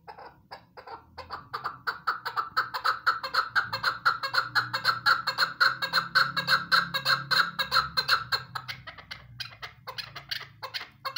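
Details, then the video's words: Female chukar partridge calling: a long run of rapid, harsh clucking notes, about two per second, swelling in loudness through the middle and fading toward the end. "keklik sesi ||chakor female madi"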